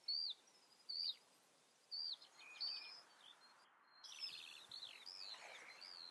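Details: Common redstart in the Eifel region singing: high, clear slurred whistles about once a second, then a quicker, jumbled twittering phrase, over a faint hiss.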